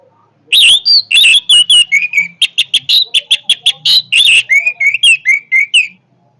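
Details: Loud, energetic Orange-headed thrush song: a continuous stream of varied whistles and sharp chirps, some high and buzzy, later settling into a series of evenly spaced, slurred whistled notes.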